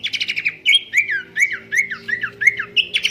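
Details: Babbler known locally as pelanduk semak, its melodious song used to train other birds: a quick trill, then a run of evenly spaced whistled notes, each sliding sharply downward, ending in another trill, with a steady low hum behind.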